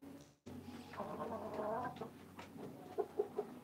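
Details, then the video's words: Hens cluck and murmur in a low, drawn-out warble, ending with three short, evenly spaced clucks about a fifth of a second apart; chicken. "Hens Sounds"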